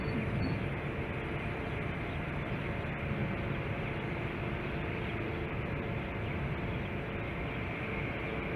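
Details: Dense, even hiss and low rumble of wind or machinery throughout, with a faint steady high electronic tone and no animal calls.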